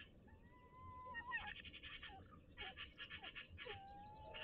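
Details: In daylight, a male and a female tawny owl exchange affectionate calls in their nest box near Toledo, Castilla-La Mancha. Drawn-out whistled notes slide up and down between bursts of quick rasping chatter.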